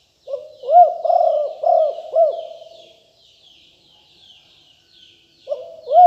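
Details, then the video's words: Spotted dove, described as an aggressive strain, giving a lure call: a phrase of four husky, throaty coos, a quiet gap, then a new phrase starting. Soft twittering of other birds behind it. "นกเขาใหญ่คับ หลิ่วตันสายพันธุ์ดุ#9 ครบเครื่องเสียงต่อนกเขาใหญ่2564"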